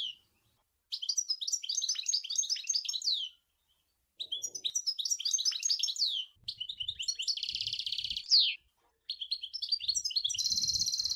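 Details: European goldfinch song in the Sour El Ghozlane style: several long twittering phrases of bright, jingling notes separated by brief pauses, one containing a buzzy nasal stretch ending in a falling slur, with occasional low thumps.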